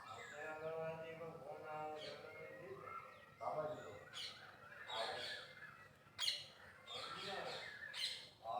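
A peacock gives loud, harsh, nasal wails and honks in several bursts a second or two apart, with what may be voices mixed in.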